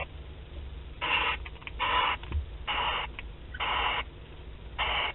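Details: Barn owls beginning courtship at Théding, 28 February 2021, webcam recording: five breathy, snoring hisses spaced about a second apart, with faint clicks between them and low background hum.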